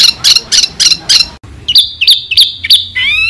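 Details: White-rumped shama song from a masteran training recording said to make contest champions for songbird keepers: a fast series of high buzzy chips, a short break, then clear whistled notes with sharp upward flicks, ending in a rising slurred phrase.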